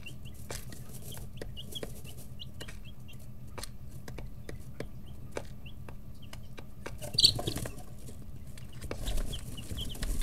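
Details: Chicks aged 11-13 days in a brooder; sparse, soft high peeps spaced across the recording amid regular pecking clicks, a low hum, and a brief louder rustle near the middle.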